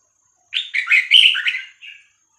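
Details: Red-whiskered bulbul singing a Vietnamese-style 3-4-5-6-7 song, used to teach young birds and excite them: one rich, warbled phrase of quick liquid notes, ending in a short softer trailing note, over a faint steady high hiss.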